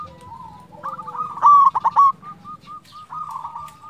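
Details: A local zebra dove coos in a soft, rolling series of short mid-pitched notes. A brief louder cluster of rapid notes stands out midway, over a faint low hum.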